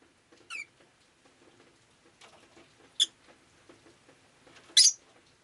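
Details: Rosy-faced lovebird on a rainy day giving three separate sharp, high chirps, each a bit louder than the last, over faint clicking and rustling.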